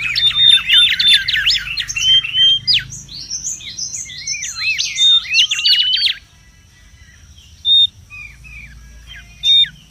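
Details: Noisy wild mangrove whistler, used for luring and tutoring: fast chattering whistles and arching slurs for six seconds, then near quiet broken by a few short bright whistles.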